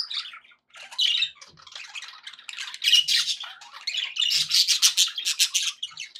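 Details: Pet budgerigars in a happy mood give scratchy, rambling warbles that build from soft murmurs into dense, loud bursts of rasping squawks toward the end.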